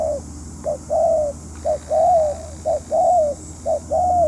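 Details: Decoy spotted dove in a trapping session, giving a run of mellow phrases. Each is a brief coo followed by a drawn-out, slightly falling croon, repeated about once a second against a low background drone.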